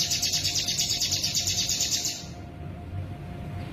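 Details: Sooty-headed bulbul singing a konslet medley of imitations, including cicada (bren) and ciblek sounds: a rapid, high, buzzy pulsed trill repeated about six times a second for two seconds, then stopping abruptly, leaving faint background hum.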